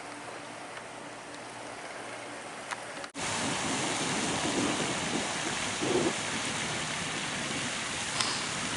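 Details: Continuous low rumbling engine and wind noise fills the recording, steady throughout with a few faint high ticks and no animal calls.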